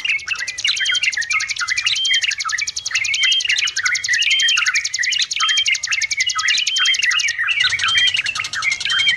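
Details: Sooty-headed bulbul singing in tutor-recording style: rounded whistled phrases that rise and fall, repeated over and over, with a steady high buzzy trill of another bird running under almost the whole stretch.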